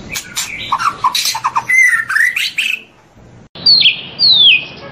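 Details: White-rumped shama from a long morning tutor track: a dense burst of mixed chattering and whistled notes, a brief gap, then two sharp descending high whistles.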